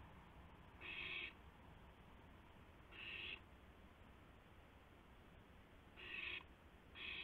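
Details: Owl seen on a live nest camera at 2:51 AM, 2 April 2016, during a gopher hand-off between two owls; four breathy, hissing screeches at uneven intervals over quiet background hiss.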